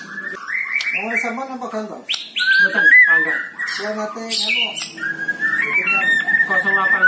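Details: White-rumped shama song for stimulating a reluctant bird to sing: a busy run of whistled and warbled phrases, mostly steady mid-pitched notes with rich harmonic, voice-like chatter between them and sharp clicks.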